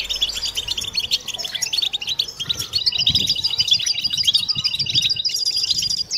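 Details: European goldfinch chorus, a group twitter (battbata) used to treat silence and stimulate females into mating song; rapid bright chirps packed closely, about three notes a second across many voices, steady throughout.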